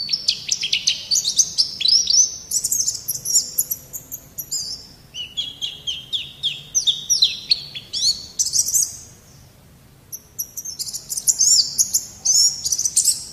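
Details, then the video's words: Full white-eye master song in 'gacor' style: long rapid bursts of sweet, high whistles, one stretch dropping to a slightly lower twittering series. A brief silence comes before the song resumes. "Suara Burung Pleci | Gacor"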